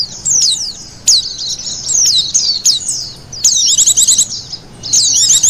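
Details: Lure recording of Oriental white-eye: thin, high descending slurs and quick trilled chirp runs, irregularly spaced with brief quiet gaps.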